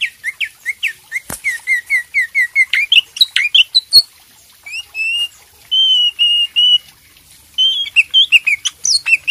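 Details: Leafbird master song meant to stimulate singing: fast chattering run of sharp whistled notes, then longer sustained whistles and buzzy phrases, with two sharp clicks early on.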